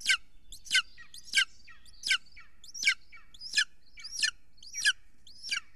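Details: Golden eagle at an Estonian nest on a live camera, recorded at 6:53 pm on 3 June 2020 as an adult brings huge prey: sharp, high, downward-slurred yelps repeated about every 0.7 seconds, nine in a row, over a quiet background.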